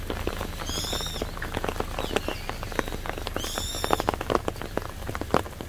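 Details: Two shrill, high, slightly arched squealing calls from a brown-eared bulbul, about three seconds apart, over steady pattering spring rain on a cherry-blossom path in Bucheon, Gyeonggi-do, South Korea.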